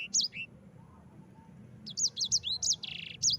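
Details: Yellow-fronted canary in ngerol style, recorded as a training master for other birds: a couple of high whistled notes, a pause of about a second and a half, then a fast burst of looping slurs ending in a buzzy trill.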